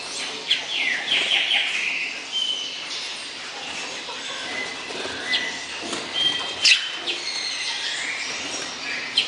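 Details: Warbling phrases from a Hepatic tanager (Piranga flava), clustered early and again toward the end, interspersed with sharp clicks, over steady insect buzz in natural surroundings.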